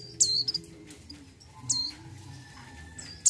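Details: Breeding-condition female mountain white-eye calling the male; loud, ringing, high-pitched chips with a slurred tail, several in a quick cluster, then single notes spaced about one and a half seconds apart.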